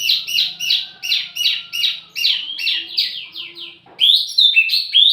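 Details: Wambi mini singing as lure and tutoring audio for tledekan birds: a quick series of descending slurred whistles, several per second, fading and then breaking into higher bright notes.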